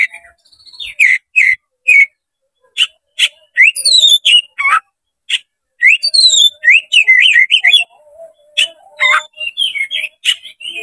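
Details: Oriental magpie-robin roused to sing for a fight after being lured by another tail-spreading bird, delivering a rich, rapid medley of clear whistles, downslurred notes, buzzy chatters and high chirps in dense bursts, with short pauses and no other sounds.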